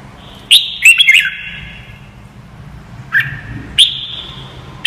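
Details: Song of a red-whiskered bulbul meant to train young white-cheeked birds: a lively three-note whistled phrase, then a long reverberant pause broken by single sharp whistled notes near the end.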